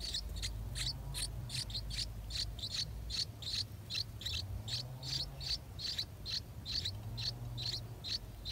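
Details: Eight-day-old yellow-vented bulbul nestlings being fed by their parents; quick, sharp, high-pitched chirps about two or three per second, fairly steady, against a low droning hum.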